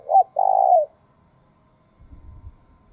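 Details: Decoy spotted dove producing its 'thúc bổi' coo: a quick hoot, then a long, pulsing, slightly falling note. Low rustling and knocking sounds come afterwards.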